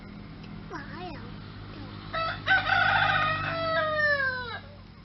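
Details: Rooster crowing: a few soft wavering calls, then a loud, drawn-out harmonic crow rising and falling over about two and a half seconds, ending in a descending tail; low background hum.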